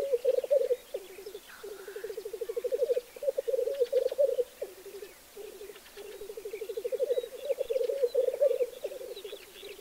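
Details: Black grouse on its lek, giving long rolling, bubbling phrases of quick low pulses, each swelling and fading over two to three seconds with short breaks between, and faint thin calls of other birds above.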